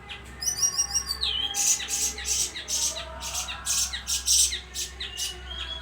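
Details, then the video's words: Bayeman singing constantly: rapid high chirps, buzzy trills and squeaky notes in dense bursts, with a steady low hum throughout. "suara burung bayeman gacor"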